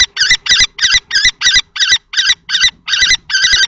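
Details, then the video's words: A long confrontation between two male common kestrels, adult and juvenile, at a nest box in Théding, France, 20 March 2024. Rapid harsh shrieks, about eleven in under four seconds, form an evenly paced chattering series. "Bagarre entre 2 mâles - 20/03/2024 - Les faucons crécerelles de Théding"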